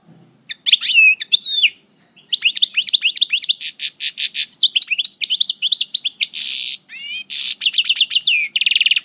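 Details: European goldfinch singing while in moult, Parva coupleur type, El Bordj: a long, almost unbroken stream of fast high twittering, with tinkling chirps, rattling trills and harsh buzzy notes near the end.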